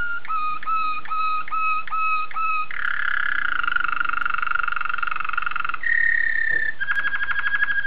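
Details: Waterslager canary from Belgium giving a run of evenly spaced, sharply accented whistled notes, then a rich, dense, water-like rolling tour, a short clear whistle and a rapid bubbling trill.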